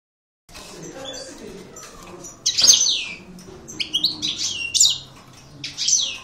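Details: European goldfinch (maknine) singing an aggressive 'coupleur' style song: after a brief silence, high bright twitters build into loud buzzy descending sweeps and sharp chirps, with a faint low hum beneath.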